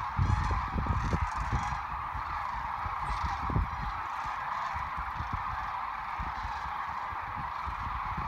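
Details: Migrating sandhill cranes at the Platte River, Nebraska, in March 2017: a distant, constant murmur of massed rattling calls, with bursts of low thumping early on that fade to a quieter steady chorus.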